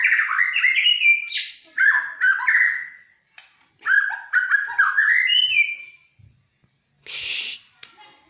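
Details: Energetic murai batu, the white-rumped shama, sings to prompt other birds into song: quick rising whistled phrases and fluty slurs, a brief pause, another run of whistles, then a short harsh rasp near the end.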